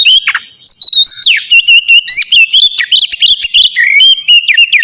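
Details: Melodious ngeplong song of an Oriental magpie-robin, used as a singing lure for captive birds: unbroken loud whistles with rising and falling slides, punctuated by rapid staccato chips.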